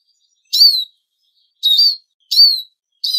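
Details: Eurasian siskin calls used as a lure recording: three clear, high, whistled notes that dip and then rise, spaced about a second apart, with no other sounds.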